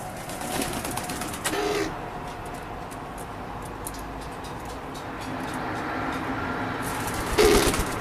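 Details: A tame male F2 triple hybrid dove (male Eurasian collared dove × ringneck dove F1 crossed with a female pigeon) gives its laughing call, lower than a ringneck's: short, low rolling bursts, two near the start and one near the end, over urban rumble.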